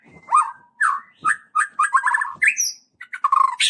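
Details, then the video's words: White-rumped shama lure song to goad other shamas: lower, throaty whistled notes and short chattering bursts, with one high thin whistle and a final sharp note. "PANCING MURAI BATU BUNYI CESS PLENGG!!!"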